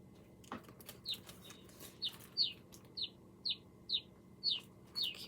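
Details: Black Rosy-Finch recording played from a computer during a children's book reading: about nine short, high chirped notes, roughly two per second, with a soft thump and faint room noise at the start.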